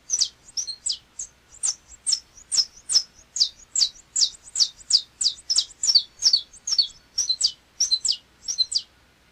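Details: Song of the Saffron Finch, known in Brazil as canário-da-terra: a long, fast run of bright, high chipping notes, some paired, delivered in a steady stream of about two per second.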